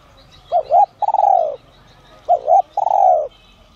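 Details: Spotted dove with the 'giọng son' voice style, calling to lure wild doves: two short paired coos, then a long, even, slightly falling coo. The phrase is given twice, with faint chirps of other birds behind it.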